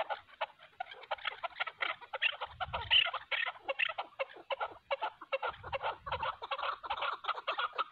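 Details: Fight between a hunter's decoy chukar and a wild mountain chukar; rapid repeated chuk notes, about two per second, with a couple of low dull thumps mid-way.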